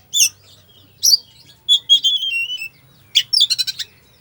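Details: Oriental magpie-robin, 'full isian' song to rouse a lazy bird: high squeaky notes, a long sweet whistle gliding downward, then a rapid burst of chattering chips.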